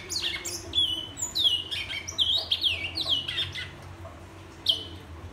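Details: Whistling from a Black-and-white seedeater, a run of clear high notes that each swoop downward and level off, repeated rapidly for four seconds before one last isolated note.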